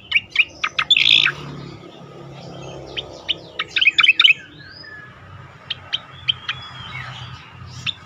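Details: Melodious striated grassbird song used for training other songbirds: quick high chirps and a rough burst early, then spaced single chirps and a drawn-out whistled slur, low background hum throughout.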